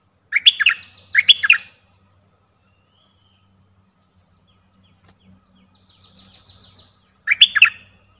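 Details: Twin chattering phrases from a streak-eared bulbul open and close the recording, bright and warbled, with a long pause between them during which a faint high buzzy trill from another bird is heard.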